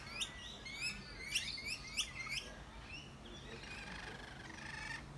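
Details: Australian rainbow lorikeets, several feeding together in loud conversation; sharp harmonic squawks come in a quick burst over the first two seconds, followed by a denser, buzzy, raspy chatter under a steady low background rumble.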